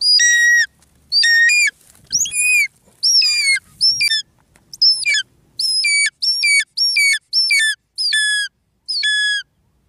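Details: Light-morph changeable hawk-eagle hunting a Mandar bird calls with a series of about eleven high, shrill whistled notes, each bending downward, spaced roughly a second apart in a quiet setting.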